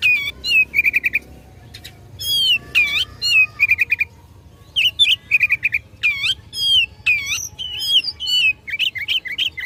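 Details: Oriental magpie-robin in full fighting song, provoking rivals: loud whistled notes with swooping bends, interspersed with rapid trills of short repeated notes, phrases separated by brief pauses.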